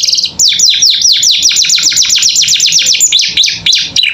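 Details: Loud canary song used to train caged birds, a dense run of rapidly repeated, sharp down-slurred whistled notes, roughly four per second, with a brief rolling trill near the end.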